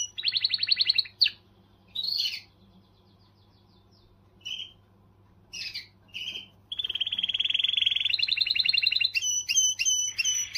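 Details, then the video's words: Canary delivering song intended to motivate females, starting with a quick trill, then scattered short chirps separated by silences, before a long rapid rolling trill and sharp clicking notes at the close; a low hum persists throughout. "تغريدة قوية من الكناري لتحفيز .. The strongest tweet from the canary to motivate"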